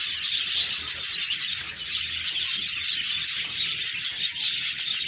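Budgerigars keep up a dense, high chatter of quick chirps, warbles and scratchy twitters.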